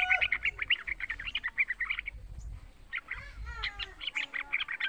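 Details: Lively young yellow-vented bulbul kept as a cage bird, singing as a lure for other bulbuls: quick chattery bursts, a brief lull with a low rumble, then renewed rapid chirping.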